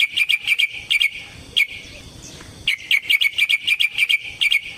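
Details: Yellow-vented bulbul in a long fighting song used to provoke a rival: quick repeated bright chirps in bursts, a short lull, then another rapid run of sharp notes over low background noise.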